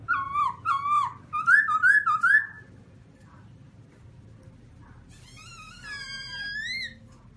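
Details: Loud singing from a caged black-throated laughingthrush, opening with a quick series of wavering whistled phrases, a pause, then a high, overtone-rich descending whistle with thin harmonics above.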